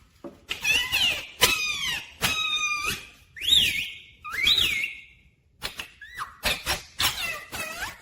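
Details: Pet talking rose-ringed parakeet said to say mummy and papa; rapid run of raspy syllables and looping whistled slides, a pause, then more quick squeaky notes and warbled phrases indoors.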